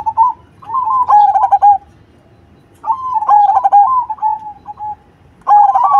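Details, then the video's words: Zebra dove of the cemani black variety, singing loudly. Two rolling, warbled coo phrases, each ending in a held trilled note, are separated by a gap of about a second of near silence. "Perkutut Cemani Gacor Suara BESAR"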